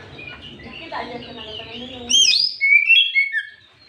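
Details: Oriental magpie-robin song played in the afternoon as a lure to provoke other magpie-robins. After two seconds of murky low background, loud clear whistled phrases arrive: sweeping upslurs and short falling notes.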